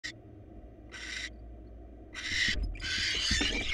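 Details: ['Wild barn owl at a monitored nest box as the male brings the female a mouse for dinner; a few separate harsh, breathy hiss bursts, then a longer ragged rasping stretch at the end, with low background rumble.']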